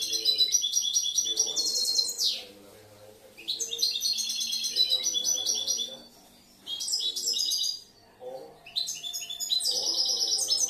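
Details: Young European goldfinch kept in captivity, hatched the previous year and noted for changing and mixing its phrases, delivers bursts of fast, high twittering and buzzy trills separated by short pauses, with faint low background sounds.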